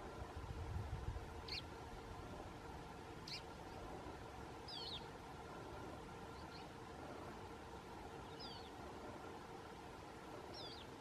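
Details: Red-rumped swallow (Cecropis daurica) preening at Rio Monnegre, Spain, on 17 April 2016, giving six or so short, thin, upslurred chirps about every couple of seconds over a steady low hum and rushing background noise.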